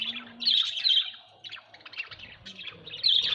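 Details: Domestic budgerigars give loud, bright chirps and scratchy warbled phrases in short bursts, with a quieter pause in the middle.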